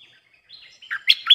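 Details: Bulbul song used to lure wild birds: a brief run of chirpy notes, faint at first, then louder burry phrases sweeping between high and mid pitch near the end.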